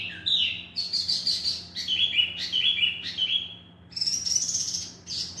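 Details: Singing male tieumi, a Wambi mini from Vietnam. Clear, high whistled notes mix with buzzy trills in several short phrases. The final phrase is thinner and higher, and a faint steady hum runs underneath.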